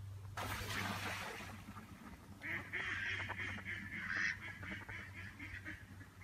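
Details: Mallard duck giving a rapid run of harsh, nasal quacking notes in noisy bursts, strongest in the second half, over a steady low hum.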